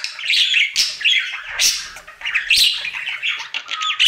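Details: Happy pet budgerigar's daily song, dense chattering warble of squeaky notes and clicks, ending with a short thin whistle.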